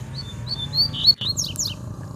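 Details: Double-collared seedeater in the wild, singing in a territorial dispute: a short string of clear, level high whistles followed by quick falling chirps, over a low background hum.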